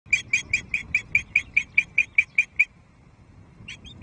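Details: Female Osprey at Loch Arkaig, 5 May 2023, calling at the nest while waiting for a fish from her mate: a series of about thirteen sharp, high piping notes roughly five per second, then a pause and a couple more.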